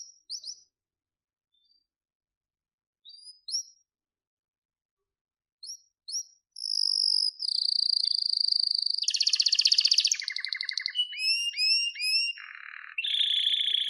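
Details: Canary singing as a lesson for other canaries: a few scattered high chirps over several seconds, then continuous song with a sustained high trill, a dense buzzy rattle, and quick falling whistles.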